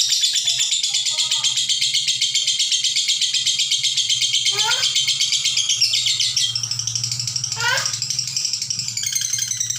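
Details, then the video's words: Lovebird ngekek chatter, long and without breaks, meant for tutoring other birds: relentless high, quick-pulsed chattering with two sharp downward-sweeping squeaks partway through and a low hum in the background. "Love bird ngekek panjang tanpa jeda"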